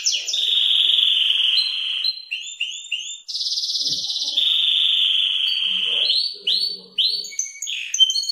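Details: Belgian canary (salsa type) singing in the early morning: a long even whistled roll, a series of quick upslurred notes, a harsh high buzz, another steady roll, then varied chirped phrases.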